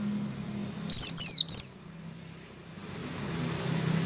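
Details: A white-eye gives three quick, high, thin descending notes in under a second over a low hum, described as its opening call before full song.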